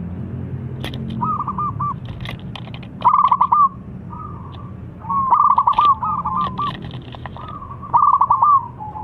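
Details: Zebra dove song meant to provoke rival doves: several separated bursts of rapid trilled whistles, each followed by a steadier held tone, with clicks and knocks between phrases.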